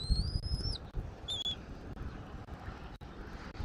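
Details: Bald eagle at a nest camera in Southwest Florida, 13 January 2024 at 14:17: a long thin high whistle that rises slightly and then drops, followed by a short whistled note, over a steady low rumble of wind.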